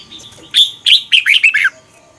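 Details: Red-whiskered bulbul in Thailand singing a learning song meant for young birds to copy: a brisk phrase of five bright warbled notes, loud and clear, rising then dipping, lasting just over one second.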